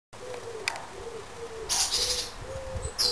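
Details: A bird in a garden gives soft, low hooting notes, each a short smooth tone repeated about every half second throughout, while bursts of hissing rustle and a few sharp clicks rise over them.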